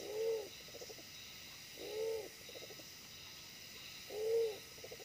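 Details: Three low, level coos spaced about two seconds apart from a fierce wild pigeon at a decoy trap, each trailed by a short rattle of soft pulses over background hiss.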